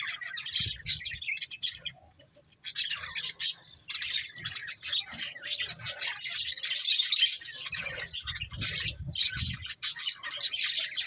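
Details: Several budgerigars chatter in quick, scratchy chirps and warbles, with a short lull near the start and busier calling toward the middle.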